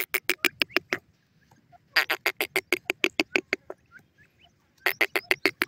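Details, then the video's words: Francolin calling in three bursts of harsh, rapid, clicking notes, about six to seven per second, separated by short pauses, over a quiet background. "moter teetar ki awaaz"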